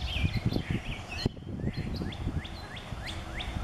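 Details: Male rose-breasted grosbeak singing in a backyard on 5/4/17: a brief warbled phrase of rich sliding notes, then a run of short rising slurred whistles about every quarter second over low rumbling background noise.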